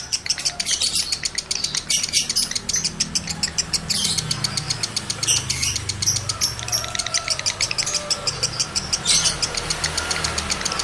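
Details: Male lovebird in high breeding condition, used to stir other males into breeding condition and long chattering song: dense, rapid runs of sharp, buzzy, clicking chirps repeated almost without pause, with short squeaks between them and a low background hum.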